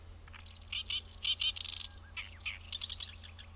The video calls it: オオヨシキリのさえずり Singing Bird Great Reed Warbler